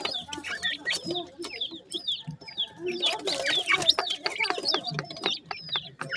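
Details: Feeding partridge chicks calling together: short high descending cheeps in quick succession, several birds at once, with occasional low soft clucks and a noisy rustle midway.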